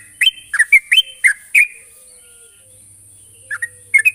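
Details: Sooty-headed bulbul calling against a rival, six quick fluty notes with dipping and rising slurs, a silence of about two seconds, then a few more notes, steady faint hiss underneath.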